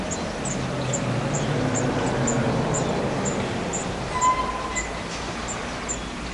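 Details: Nesting spotted flycatcher, June–July 2011: a regular series of brief, high, thin notes about every half second over a low rumbling background, with a few faint whistled tones from another bird.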